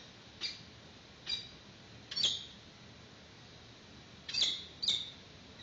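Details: During the first feeding of a newly hatched peregrine falcon chick at a webcam-watched nest in 2019, a few isolated high, thin chirps sound at irregular intervals over a quiet background.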